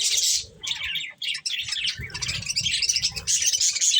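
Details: Pet budgerigars chirping while eating corn; a loud opening chirp burst, a short pause, then continuous high warbling chatter over a low rumbling rustle from feeding.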